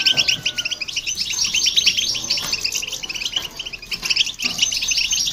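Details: European goldfinch and a hybrid singing to provoke other birds: bright, rapid tinkling chirps in a dense warble, with a brief sliding whistle near the start.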